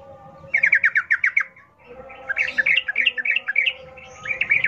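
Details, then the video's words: Wild-style 'ngalas ropel' song of a sooty-headed bulbul, used to prompt captive birds to sing: a fast run of about eight repeated clipped notes, a brief lull, then looser bubbling chatter over a low background hum. "Trucukan gacor NGALAS ropel Khas alam liar ini ampuh untuk pancingan trucukan agar bunyi GACOR"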